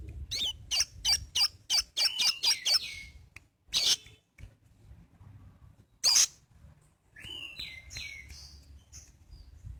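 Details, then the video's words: Sogon (crested jay) in full active song. A quick run of harsh clicking notes, a pause, one loud burst, then a few stepped high whistles and faint low background noise. "Burung sogon gacor"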